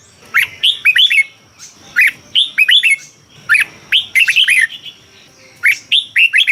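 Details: Thai caged Red-whiskered bulbul singing in the bold 'double' style used to stimulate other birds: cheerful warbled phrases of three to five whistled notes, repeated steadily about every second, with a faint background hum.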